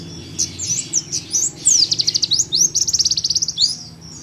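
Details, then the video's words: Home recording of an Oriental white-eye, pleci paud, singing nembak for use as a tutor: bright high chirps building into swooping notes and a long, fast pulsing trill before stopping. "PLECI PAUD NEMBAK LUMAYAN BUAT MASTERAN DI RUMAH"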